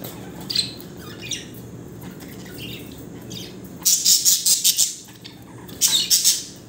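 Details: Two male budgerigars fighting give harsh, rapid bursts of high squawking chatter between quieter pauses.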